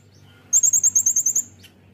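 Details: Brown-throated sunbird song for tutoring caged birds: a single one-second burst of about nine rapid, high, sharp repeated notes, followed by a brief faint chip over low background hum.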